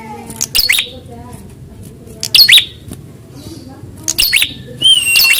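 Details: Prinia heard in a fighting test for rivals: sharp, rasping twin-note bursts spaced irregularly, ending with a steady high whistle, over a faint low murmur.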